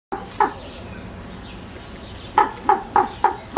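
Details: Common raven croaking: one harsh call early, then after a pause five hoarse, grating croaks about every third of a second; high thin chirps of small birds and steady background hiss.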